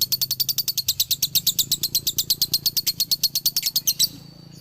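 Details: Male lovebird from Galendo Ciamis producing a dobelan: a quick, regular series of piercing chirps lasting about four seconds, ending suddenly and followed by a brief faint tone and quiet.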